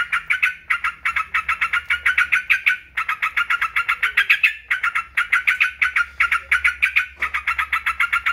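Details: Yellow-vented bulbul with rapid pulsed chattering in phrases of about one to two seconds, each quickly followed by the next.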